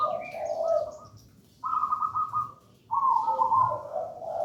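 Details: Local wild Indonesian zebra dove, gedang rojo type, singing steadily, used as a lure and master song for young doves: three rolling, trilled coo phrases, each about a second long, with brief quiet gaps between them.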